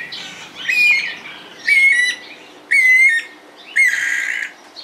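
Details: Red-crested cardinal feeding on fruit and seeds in Esperanza, Santa Fe, Argentina, in 2022: four loud, harsh, squawking calls with a brief whistled edge, roughly one each second, separated by quiet gaps.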